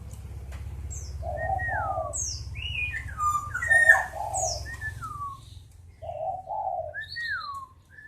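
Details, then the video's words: Black-naped oriole singing clear descending whistles and rich low liquid doublets, phrases repeating, with a few high thin notes from other birds over a faint low hum. "Burung Kepodang Super Receh"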